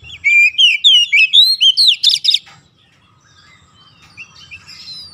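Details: Oriental magpie-robin (kacer) song played as therapy to get lazy birds singing nonstop: a fast run of loud, clear whistled phrases, about four a second, ending in a harsh buzzy burst, then soft distant twitters.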